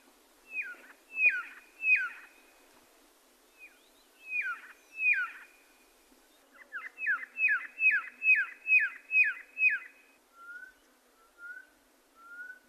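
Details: Red-lored whistler singing several downslurred whistles in small groups separated by pauses. It then gives a fast run of about eight repeated slurred notes and ends with three soft, lower, level whistles. The background is quiet.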